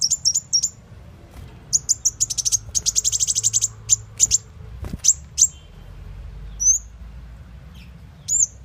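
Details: Sunbird lure call used to attract birds that no longer come close: high, sharp chips, then a fast trilling run of thin notes, followed by scattered single tseet calls with quiet gaps between them.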